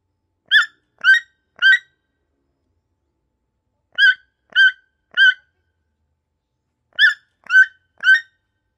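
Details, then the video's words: A toucan sitting and relaxing gives short, harsh, nasal yelps in triplets of three quick notes about half a second apart, each set repeating every three seconds, with no other sound. "Voice of Toucan, toucan bird sound"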